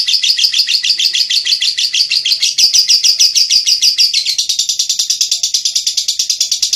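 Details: Lovebird in ngekek style, a long song used as a master for training songbirds: a fast, unbroken chattering trill of high buzzy notes, about three per second, speeding up and rising slightly toward the end.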